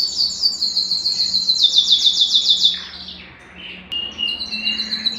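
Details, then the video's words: Bright, evenly pulsed trills from a Belgian canary singing to stimulate males and condition females for breeding, falling briefly silent before a sharp note and a fresh high trill. "Canto Para Esquentar Canário Belga e Foguear as Fêmeas"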